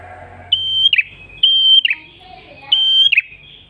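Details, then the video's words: Red-headed tailorbird song used as a master recording for luring and training birds: three phrases, each a sustained high whistle ending in a quick cluster of dropping chirps, spaced about a second apart, over a faint low hum. "MASTERAN PRENJAK KEPALA MERAH GACOR SUARA NGALUN ENAK COCOK UNTUK PIKAT/PANCINGAN BURUNG ANDA"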